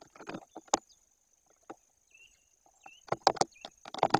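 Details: Common starling singing at a white-tailed eagle nest, treating the hidden camera tube as a possible nest site: dry clicks, knocks and a couple of brief thin whistles in irregular bursts over a steady high-pitched whine.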